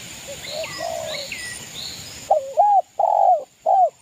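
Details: Spotted dove of local East Javan stock, a keen singer used to provoke rivals; distant high birdsong and faint coos give way to a loud short-short-long cooing phrase.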